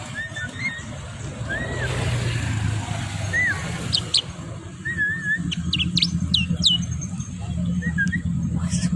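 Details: Tame Javan myna singing steadily on a walk along a road: short arched whistles repeated at intervals, mixed with sharp, high downslurred notes and clicks, over constant low traffic and street noise.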